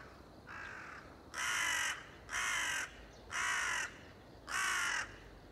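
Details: Crow cawing on 30 September 2020: a soft opening caw followed by four loud, rasping caws of even length, repeated about once a second against a quiet hissing background.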